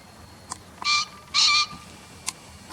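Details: Green pheasant call taken from a field-guide recording: two loud, harsh, ringing notes about half a second apart, each a rich buzzy burst, with a few faint clicks around them.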